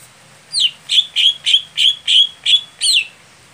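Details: Competition greater green leafbird that warms up slowly. Eight loud whistled notes follow one another at an even pace, each sliding down slightly, with a few high overtones.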